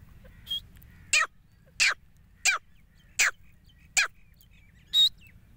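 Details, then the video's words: Grey francolin calling; male and female voices are mentioned. Harsh, down-slurred notes repeat at uneven intervals of under a second, seven in all, over a low background rumble. "teeter ki awaz | teeter sound | #grey francolin voice | #female voice | #male voice"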